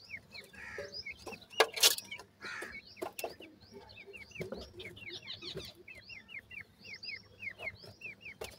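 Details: Several grey francolin chicks feeding, giving a steady run of brief upslurred peeps, about two or three per second, especially in the second half; loud rustling and clicking noises early on.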